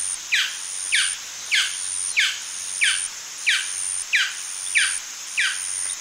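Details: Yapping call of a male golden dove: eight crisp, descending yelps spaced about 0.6 to 0.7 seconds apart, loud and even against a thin background hiss.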